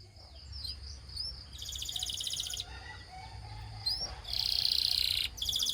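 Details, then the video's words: Belgian canary song meant to prompt other canaries to sing, heard at a distance over background hiss: scattered thin whistles, then bursts of rapid buzzy trills, the loudest near the end. "The Singing Canary Tempts All Canaries to Sing - Belgian Canary Singing"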